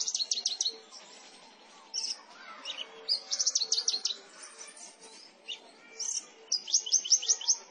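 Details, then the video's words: Javan bush lark caught in rice fields at Gantiwarno, Klaten, Central Java, seven months old, in energetic song: bursts of rapid high chirps and trills, varied slurred notes between, repeated in quick runs. "Branjangan ‼️Gacor"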